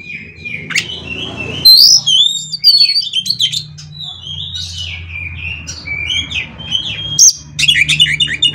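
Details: Oriental magpie-robin, kacer, a song meant to make other kacer sing: long flowing whistled phrases with slides and trills, clear high squeaks, loud bursts near the start and end, low hum beneath.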